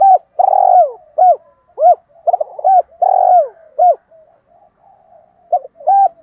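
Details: Repeated cooing of a decoy spotted dove meant to attract wild doves: two full phrases, each with a long pulsed rolling coo between short arched notes, then a quiet gap and a new phrase beginning.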